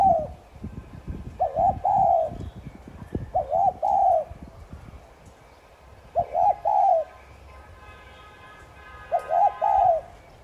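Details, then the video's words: Spotted dove cooing to lure and stimulate other doves to call: low, hollow two-part coos around middle pitch, each phrase about a second long, repeated at intervals of two to three seconds over faint rural background. "Chim cu gáy THÚC GÙ Sát Bổi kích bổi nhanh nổi.Cu gáy THÚC GÙ CỰC VÍP kích bổi gáy ngay.cu đất gáy"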